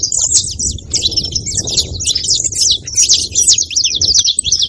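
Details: Rapid, bright chirps from a saffron finch form a lively, continuous twittering string, high and busy, with a quiet low rumble beneath.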